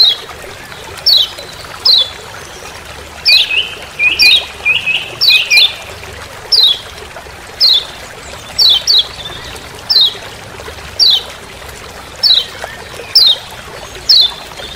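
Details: Lombok lemon-bellied white-eye in forest giving its "ciak ciak" call, recorded as master sound: crisp, very high descending chips spaced about a second apart, some in quick pairs, over a quiet background.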